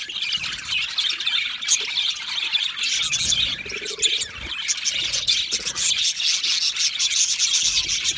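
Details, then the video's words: Chirps, whistles and chatter from a flock of Australian budgies content in their colony; a steady high-pitched babble of many voices, rapid scratchy notes mixed with occasional louder squeaks. "Australian Budgie singing sounds | Australian Budgie chirping sounds"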